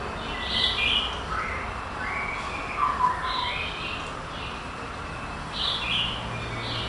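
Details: Competition male white-rumped shama, third place in Kuala Lumpur on 22 April 2012, singing bright whistled phrases that jump between high and mid pitches, with short descending slurs, partly masked by constant broadband noise.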